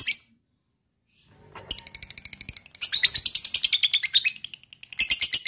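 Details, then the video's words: Lovebird trill used to trigger other lovebirds: after a short chirp and a pause, a long rapid run of high pulsed chatter rises and falls, ending in another quick burst. "DENGARKAN suara LOVE BIRD ini,,bisa m3micu lb untuk ngekek"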